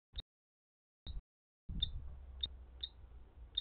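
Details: Male Common Kestrel luring a female to a nest site while attacked by a dove that had laid eggs there, giving six short, sharp, high chips about half a second to a second apart, over low rumbling wind noise in the second half.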